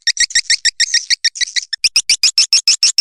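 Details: Swiftlet calling sound used to attract swiftlets: a steady run of short, high chirping twitters repeated about three times a second, evenly spaced, with no other sounds.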